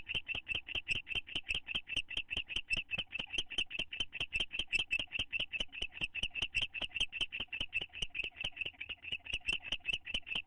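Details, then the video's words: Bonding owls inside a nest box on May 9, 2011, one attempting to kiss its mate; a sustained, regular stream of short, high chirps about two and a half per second, steady throughout. "The Owltlaws - Roy and Dale in the box bonding and kissing"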